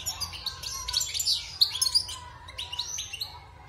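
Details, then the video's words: European goldfinch taken from the wild and caged six months, after its moult, pours out a bright, hurried twittering song of clipped chirps and short trills, quieter toward the end. "Chant de Chardonneret sauvage (Repassage)|غناء حسون خلوي خارج من تغير الريش"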